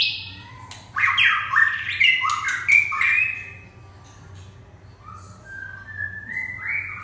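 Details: Red-whiskered bulbul giving about three seconds of harsh squawking chatter and warbles, followed by softer, quieter rising whistles.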